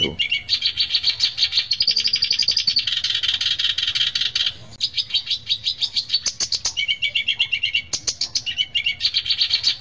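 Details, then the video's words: A captive Black-browed Reed Warbler (kerak basi alis hitam / sincan), a cage bird being tamed, sings a continuous harsh, chattering song of fast buzzy trills and repeated scratchy phrases, high-pitched with brief pauses. "BURUNG KERAK BASI ALIS HITAM SINCAN"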